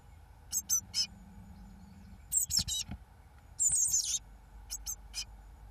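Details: Eurasian blue tit chicks on day 21 (1 June 2012) as the first two fledge give thin, very high calls in short bursts, with a longer buzzy, trilling run near the end and a faint low hum.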